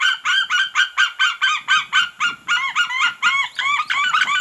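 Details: Both parent white-tailed eagles at their nest on Smøla, 3 April 2019, vocalizing loudly on alert after a juvenile landed in a tree nearby; a fast rhythmic series of loud yelping, arched notes, about four per second, growing harsher toward the end.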